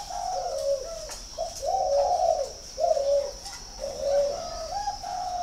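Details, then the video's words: Cooing spotted dove from a northern Vietnam breeding farm near Ba Vì, Hanoi: a series of mellow, throaty coo notes, some drawn out and some clipped, with a constant thin whine in the background. "chim cu gáy hay 88 miền bắc"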